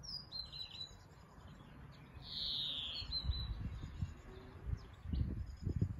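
A European greenfinch gives a long, nasal wheeze that slides downward, set among scattered quick twittering notes, over a steady low rumble of wind.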